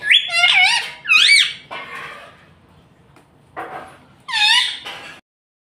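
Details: Pet green ringneck parrot imitating speech, the words mummy and papa, with wavering nasal syllables in three loud bursts and brief pauses between them.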